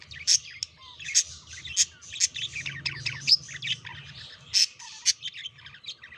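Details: Budgerigars chattering during courtship and mating: a busy stream of scratchy warbles mixed with sharp, bright chirps every half second or so, with a faint low hum underneath.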